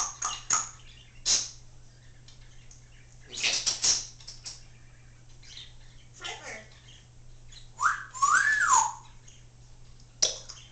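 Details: Female pet Congo African grey parrot talking indoors, known to say phrases such as "I love you" and "step up"; short voice-like bursts and clicks, then a clear rising-and-falling whistle, over a low steady hum.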